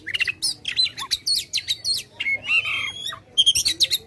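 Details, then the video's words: White-rumped shama, aggressive song used to fire up a silent bird: staccato clicks and chattering notes, a few low whistles, a long sustained clear whistle, then a quick burst of sharp notes. "Suara Kacer Gacor agresif buka ekor Ampuh buat bikin kacer males jadi gacor"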